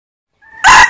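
A red junglefowl begins its crow: a faint thin note, then a sudden loud, harsh, hoarse burst, cut short after a moment.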